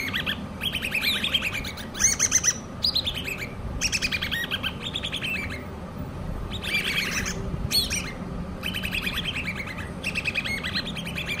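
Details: Hand-reared common babbler chicks giving loud, bright chirps in about eight separate bursts over eleven seconds. Each burst is a quick run of arched, slightly falling notes, with quieter gaps between and a constant low background rumble.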